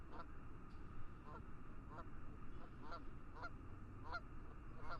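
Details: Geese honking in fog on a lake: a steady series of short, nasal honks about every half second, moderately loud, over a constant low rumbling background.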